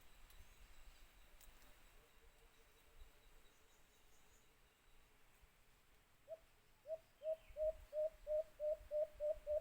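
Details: White-eared brown dove, or alimokon, near a cage trap: a faint low string of soft notes, then a loud series of about ten hollow hoots, evenly spaced and quick, over quiet background.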